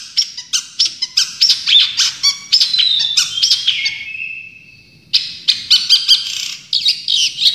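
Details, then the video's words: Champion Long-tailed shrike in a tutor recording for training songbirds, with full bursts of song: fast, varied chattering and whistled notes, with a longer sliding whistle near the middle before the rapid bursts return. "Masteran Cendet Juara full tembakan"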